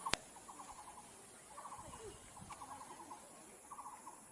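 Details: Nicobar pigeon in Bogor, Indonesia, giving short, rapid rattling bursts of clucks, about four bursts a second apart, after a single sharp knock.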